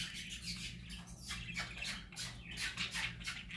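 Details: Happy parakeets chattering loudly, dense overlapping squeaks, raspy warbles and clicking notes in waves, with a low background hum.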